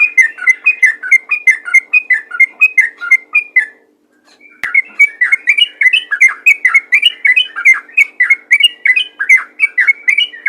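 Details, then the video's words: Sooty-headed bulbul delivering a busy, rapid song meant to stir other bulbuls into singing: a steady stream of bubbly, down-slurred chirps, a short pause with a sharp click, then an even denser burst of chattering notes. "burung trucukan ropel gacor untuk memancing trucukan lain agar rajin bunyi"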